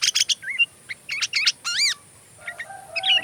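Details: Sooty-headed bulbul, a lively singer, recorded as fill-in song material for training magpie robins: bursts of buzzy chattering notes, then clear rising and falling whistled slurs, a sweeping fluty phrase, and a softer, scratchy ending.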